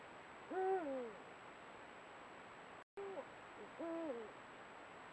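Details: Eurasian eagle-owls, a pair filmed by a camera trap at sunset, giving two separate harsh, harmonic calls about three seconds apart. Each rises briefly and then slurs downward.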